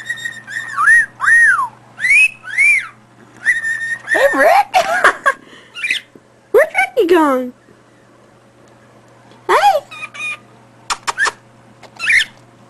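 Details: Male cockatiel on the floor whistles clear, rising-and-falling wolf whistles again and again, apparently excited by a female cockatiel he loves, over a low steady hum.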